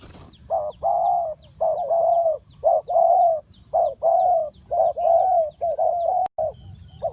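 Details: Spotted dove played as a lure for bird trapping: hoarse two-part coos near 600–800, short note then longer slurred note, repeated steadily about once a second, with faint high chirps of other birds in the background.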